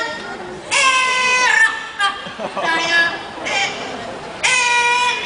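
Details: A parrot named Amigo at a bird park show sings songs in Mandarin and Malay in drawn-out, nasal, wavering notes, some held for about a second, with short pauses between phrases.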